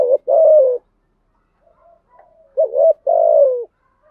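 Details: Spotted dove in the 'giọng thổ' earthy style delivering the 'gù thúc' urging coo: a clipped note and a long, slightly falling coo, a pause with faint murmurs, then the same pair repeated, low and mellow.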